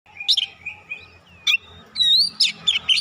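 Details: Oriental magpie-robin with fighter character, used as therapy so a young untrained bird quickly shows it: loud sharp whistled notes and rapid high chirps in bursts, with a quieter warbling phrase between them.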